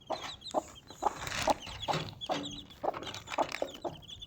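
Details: Mother Desi chicken with four baby chicks: repeated short clucks about twice a second over a rustling, noisy background, with a few faint thin peeps.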